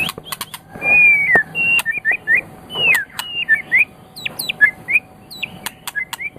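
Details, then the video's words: Song of a white-rumped shama used to train other birds: clear drawn-out whistles and short slurred phrases, interspersed with crisp high clicks. "Ocehan Burung Murai Batu"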